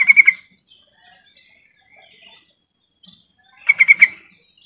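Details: Yellow-vented bulbul lure call meant to get silent bulbuls singing: two brief, bubbly bursts of quick staccato notes, one at the start and one near the end, with near silence between.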